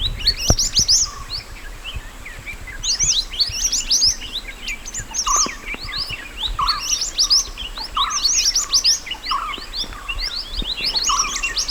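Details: Wild mountain white-eye recorded as a master song for training other birds: long stretches of rapid high twittering and quick rising slurs, with a lower brief note recurring about every second throughout nearly twelve seconds.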